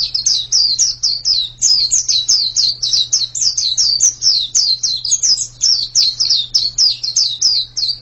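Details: Energetic white-eye song of bright, very high slurred notes, each dropping in pitch, repeated in a fast, even chatter for the whole stretch over a faint low hum.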